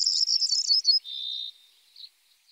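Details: Common starling song, a dense high scratchy warble sliding into a level buzzy whistle, then a few faint squeaks.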